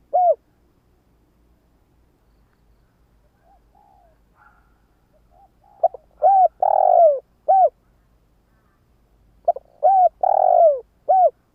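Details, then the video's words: Decoy spotted dove luring wild doves with repeated coo phrases: a faint soft murmur first, then two loud phrases of clipped notes, a long falling coo and a short closing coo, about four seconds apart. "Tiếng gáy cu mồi cây | Tiếng chim cu gáy kích bổi nhanh nổi hiệu quả"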